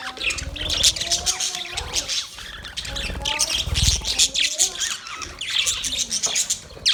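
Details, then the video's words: Budgerigars twitter and squeak in a restless chorus, with faint drawn-out low tones and occasional soft low thumps. "Birds Chirping sound Beautiful Budgies sound Parrot relaxing voice"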